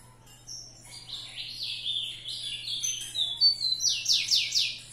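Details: ['Rufous-collared sparrow described as fibrado singing: clear high whistled notes sliding down, then a run of rapid descending slurred notes growing louder toward the end, over a steady low hum.']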